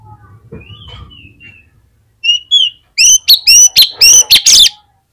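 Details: Oriental magpie-robin, a kept bird used to lure other magpie-robins into song: soft low rumbling and faint whistles, then a fast series of loud, clipped, repeated ringing notes.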